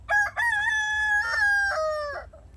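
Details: A rooster crows in the evening in a garden rather than only at dawn: two short opening notes, then a long, harmonic-rich, drawn-out phrase that dips and ends with a falling tail.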